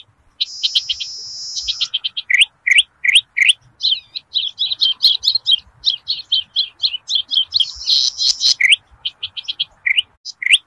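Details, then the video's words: Zitting cisticola song from rice fields, used to lure birds. Hissy buzzes open and close a dense run of rapid, rising chirps that tumble over one another in a busy chatter. "PANCINGAN BURUNG CITRUK/CICI PADI GACOR DI PERSAWAHAN"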